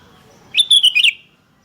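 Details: Sooty-headed bulbul, a lively bird answering other callers, recorded for luring and tutoring: a single quick bubbling phrase of four or five rapid, liquid notes, wavering up and down, lasting about half a second, over a quiet background.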